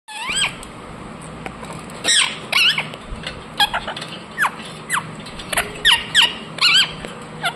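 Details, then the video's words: Indian ringneck parakeet chirping: a run of sharp, high squeaky notes, many sweeping downward, scattered irregularly with short pauses between bursts against a quiet low hum. "Parrot Chirping sounds Natural Sound | Ringneck parrot Naturals Sound"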